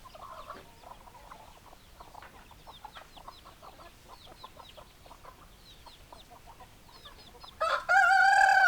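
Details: Hens clucking in a flock: many short, clipped clucks repeated about twice a second, with a louder harmonic squawk or crow-like cry bursting in near the end.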